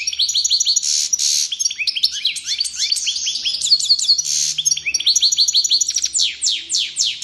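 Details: Energetic goldfinch training song with dense, high-pitched twittering, rapid trills, short buzzy bursts and strings of quick descending chirps running almost nonstop.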